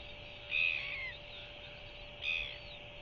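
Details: A newly hatched royal albatross chick begs for food with two high, thin squeaking bursts about a second and a half apart, over a steady hum, as its parent feeds it and settles it for the night, 21 Jan 2023.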